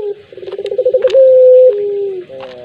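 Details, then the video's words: Single pelung coo of a puter collared dove: an accelerating series of pulsed notes runs into a long steady tone that steps down lower. A few faint clicks are heard, and a wavering tone follows. "Misteri Suara Burung Puter Pelung"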